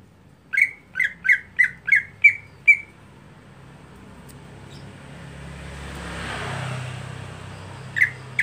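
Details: Caged greater green leafbird in monotonous daily form, a contest-prepared bird, giving six rapid harsh squawky notes, then a rising rushing noise, and a single similar note near the end.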